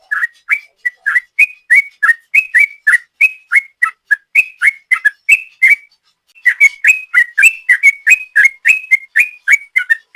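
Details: Sooty-headed bulbul 'ropel' lure song: rapid whistled notes pouring out nearly four per second, a brief silence near the middle, then the fast chattering series resumes.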